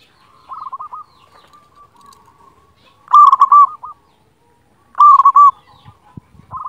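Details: A loud-voiced local zebra dove, recorded as tutor song for silent or lazy doves, gives two strong bursts of fast staccato cooing about two seconds apart, between soft distant coo phrases.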